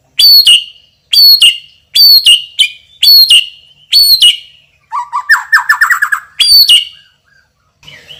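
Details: White-rumped shama champion with loud voice and rich fill phrases: five quick repeats of a ringing high whistle dropping to a lower note, a short rattling chatter, then the whistled phrase once more.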